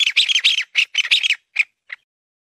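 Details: Mountain bamboo partridge calling: a fast run of harsh, scratchy chattering notes that breaks into short separate bursts and ends with two fainter notes.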